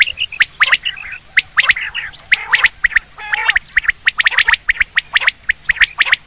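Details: Common quail sound used for hunting: sharp, high, clipped notes, often in quick groups of two or three, repeated steadily, with lower, rougher chattering calls mixed in between.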